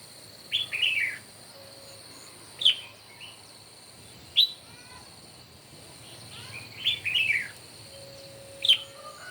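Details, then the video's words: Red-whiskered bulbul in a morning song duel. Crisp, sharply rising and falling whistled phrases are repeated about every two seconds, some doubled, against a steady thin high hum and a faint low tone. "Chim Chào Mào Hót Đấu Buổi Sáng Cực Căng."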